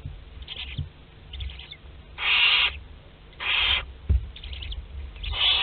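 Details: At a Théding, France nest box on 22 August 2021, Western barn owl chicks of a second brood are hatching. Two loud, rasping hisses stand out among several faint shorter ones, with a soft knock and background hum.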